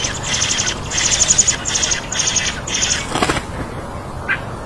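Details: Hungry baby birds begging for food: bursts of rapid, high, buzzy chirping in pulsed groups, pausing and resuming, then a brief lower rustle and one short call near the end.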